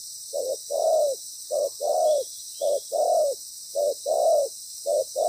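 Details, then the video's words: Decoy spotted dove with a good voice and proper pattern, heard during ground-bait trapping; regular short-long coo pairs repeated about every second, low and mellow, over steady hiss. "Bổi lớn tiếng,chim bài bản"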